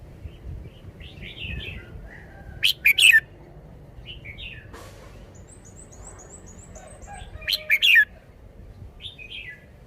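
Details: Red-whiskered bulbul kept in a cage, displaying its song style: two loud, rich warbled phrases several seconds apart, with softer chirps between and a thin high whistled trill from another bird in the background.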